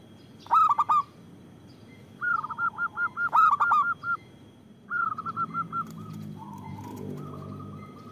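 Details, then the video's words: Loud local zebra dove, used as a lure and prompt: a loud clipped cooing phrase, then runs of short, even, repeated notes joined by another cooing burst, ending in softer notes over low rumbling. "Perkutut lokal gacor Suara Besar Bagus Untuk Pikat dan Pancingan"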